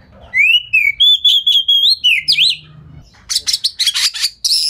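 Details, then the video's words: Magpie-robin lure song aimed at drawing replies from rivals: long, pure whistled notes that rise and wobble, then a switch to harsh buzzy scratchy bursts, over a faint low hum. "Pancingan Kacer Gacor Speed Rapat Buka Ekor! Buat Kacer Lain Auto Nyaut"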